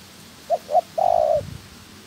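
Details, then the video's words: Spotted dove kept as a trapping decoy, in training, gives two quick soft coos followed by a long, rapidly pulsed, slightly falling coo. "Chim Cu Gáy (trap bird) Tập mồi"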